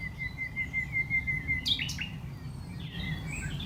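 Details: Common Nightingale singing at night under a tree platform in a West Sussex rewilding site, May: a long steady whistled note, then sharp cracking notes and varied warbled phrases, low rumble beneath.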